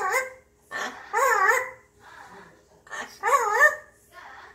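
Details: Happy grey parrot humming to itself at home; two bursts of wavy, singsong voiced tones with rippling pitch, separated by softer breathy murmurs, indoors with a faint constant hum.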